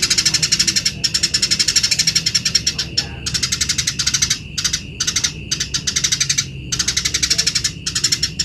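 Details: Energetic Eurasian tree sparrow chirping as a tutor song for other birds, almost continuous rapid high chirps grouped into bursts separated by very short breaks.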